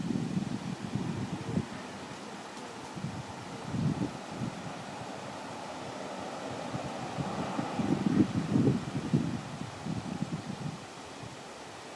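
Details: Wind buffeting the microphone with low rumbling gusts, and no animal calls can be picked out.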